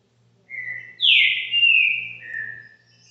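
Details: Green-winged saltator at a subscriber's home, singing the caxinguelo bitola song style: a clear whistled phrase, a low steady note followed by a loud, sharp, falling whistle that slides into a long level tone, ending on a softer note.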